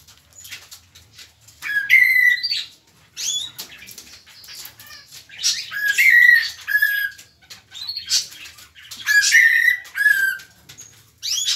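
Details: A mockingbird in Soacha sings loud, varied phrases of whistles and slurred notes every three to four seconds, with softer twittering between bursts.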